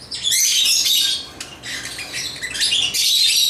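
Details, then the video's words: Lovebirds, African lovebirds playing with toys, chatter in dense, high, scratchy bursts of shrill chirps and squeaks, in three loud runs with brief pauses between. "Love birds chirping"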